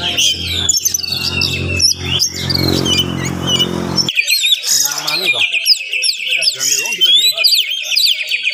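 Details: Oriental magpie-robin morning song, quick and dense, to rouse rival magpie-robins. Loud low rumbling noise and voices cover the first half, then clear high whistles, trills and chattering notes take over.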